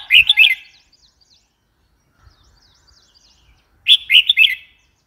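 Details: Red-whiskered bulbul calling twice, each a quick bubbly phrase of three or four chirped notes, separated by about three seconds of near silence with faint distant chirps.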